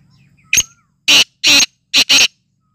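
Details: Black francolin in full excited condition: a short sharp note followed by four loud harsh rasping bursts in two paired groups, over a quiet background.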